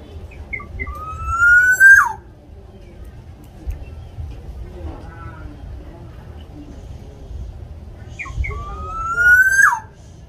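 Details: Local Javanese black-naped oriole singing vigorously, used to prompt captive orioles to sing: two loud fluid whistled phrases, a few short notes leading into a long rising slurred whistle, about seven seconds apart, over a low rumbling background.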